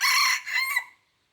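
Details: Red junglefowl from Aceh, recorded 5 January 2020, giving a short hoarse crow of about one second: a loud harsh opening phrase, a brief dip, then a shorter second phrase trailing off into silence.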